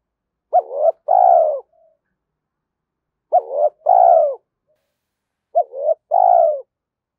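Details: Spotted dove cooing for stirring and training decoys; three two-part phrases about two and a half seconds apart, each a short bent note followed by a fuller falling coo, otherwise quiet.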